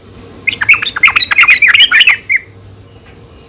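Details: Female yellow-vented bulbul calling to the male, used as a lure to make bulbuls sing: a quick burst of bubbly, chattering notes, rising and falling, lasting about two seconds, then a short final note and quiet.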